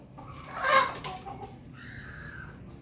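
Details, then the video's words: Ayam Ketawa, the Indonesian laughing chicken, crowing on a Monday morning: one loud, rich harmonic burst that fades into a quieter drawn-out tone, over a low steady background hum. "ayam.ketawa hari senin pagi berkokok"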